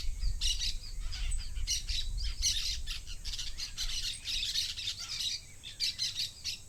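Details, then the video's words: Noisy parakeet flock: many birds squawking and chirping at once in harsh, high bursts that rise and fade irregularly, with a low rumbling noise beneath. "SONIDO DE BANDADA DE PERICOS"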